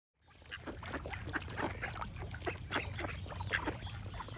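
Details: Ducks quacking in a steady stream of short, harsh, overlapping calls, several per second, over a low constant rumble, with faint higher bird notes at times.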